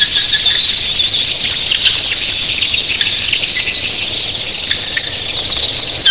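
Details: A huge early morning flock of red-billed queleas, thousands of birds, giving an unbroken high chattering hiss of calls with scattered clicks and a few lower notes.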